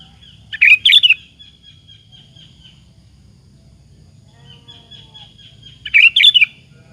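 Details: Sooty-headed bulbul in vigorous song, used to goad other bulbuls into replying: two chirpy bubbling phrases about five seconds apart, each followed by a thin, steady high whistle, over low rumbling background.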